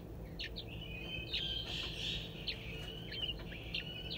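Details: Crested wood partridge chicks in a zoo enclosure, an older chick of 22 days showing two 11-day-old siblings how to forage; high chirps and sliding whistles, with a long drawn tone running through and a constant low rumble.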